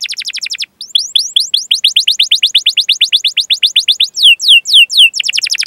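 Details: Canary training song meant to coax young or mute canaries to sing, delivered as a fast rattling trill of steep downward chirps, a brief pause, then a long even series of sweeps and a few slower descending slurs near the end.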